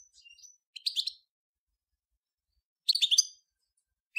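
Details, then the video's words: European goldfinch song recorded in 2014: short bursts of quick, bright twittering notes, one burst near the start and another after a pause of nearly two seconds, with a single clipped note at the end, over a quiet, clean background. "صوت الحسون الأصلي - Stieglitz Major Beste Gesang"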